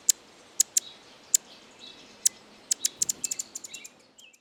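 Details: A hummingbird from Argentina gives very high, sharp, ticking chips. They start spaced about half a second apart, then become a quicker irregular run of clicks, with faint softer twitters between.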